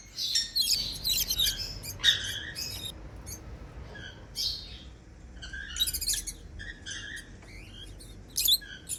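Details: Several African lovebirds with unclipped wings, flying freely and making happy sounds, chatter with shrill, high chirps and squeaky twitters in uneven bursts, calling over one another.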